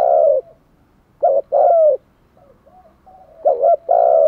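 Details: Cooing of a decoy spotted dove meant to lure wild birds: loud drawn-out coos alternate with short paired notes, while a softer dove coos faintly in between.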